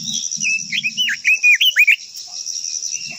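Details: Japanese white-eye singing a quick run of bright, twisting whistled notes that swoop up and down, loud and closely spaced in the middle of the phrase, over a steady high insect hiss.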